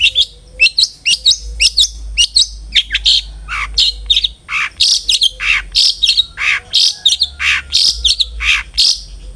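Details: Long-tailed shrike singing, used as a lure so pet shrikes sing more: continuous varied chattering of harsh, buzzy and squeaky notes in quick irregular sequences.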